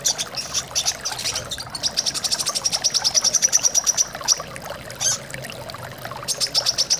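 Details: Brown-throated sunbird used as a singing therapy for kept birds: fast runs of high, piercing chirps building into a dense repeated train, then short pauses and another burst, accompanied by trickling flowing water.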